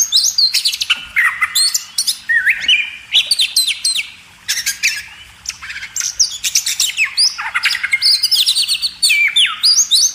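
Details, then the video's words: Oriental magpie-robin (kacer) singing on a training recording for cage birds: a loud, varied, continuous run of high whistles, steep up-and-down sweeps and sharp rapid notes, with almost no pause across ten seconds. "masteran burung kacer"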